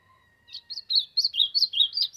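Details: Ultramarine grosbeak warming up in the Brazilian sertão with a fast warbled phrase of about ten clear, bouncing notes rising and dipping in turn, faint low tones in the background before the song starts.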